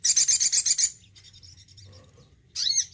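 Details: Male Crimson Sunbird in care opens with a rapid run of about eight shrill high chips, pauses, then ends with a swept, slurred high phrase.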